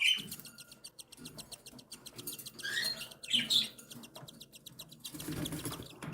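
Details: Begging of cockatiel chicks one and seven days old being fed by their mother: rapid, raspy pulsing with a few squeaky chirps, and a rising wash of rustling toward the end.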